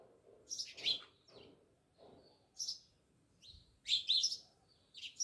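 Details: Sparse chirps from house sparrows living near a village house at Jamnagar, a few sharp two-part notes separated by quiet gaps over soft background hiss.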